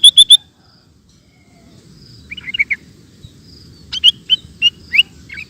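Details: Sooty-headed bulbul singing in ropel style: three loud bright chirps at the start, then quieter rolling phrases and a run of quick chirping notes, with a low rumbling background.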